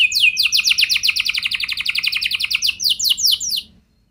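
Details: Canary lure song meant to get other canaries singing: one sustained, very fast roll of short repeated notes, slightly rising in pitch, lasting over three seconds before stopping into silence.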